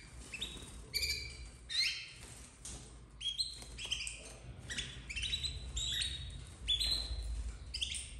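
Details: Busy, overlapping high-pitched cheeps and raspy squeaks from captive domestic canary chicks of red frosted color, 2024, coming in rapid irregular bursts over low background rumble.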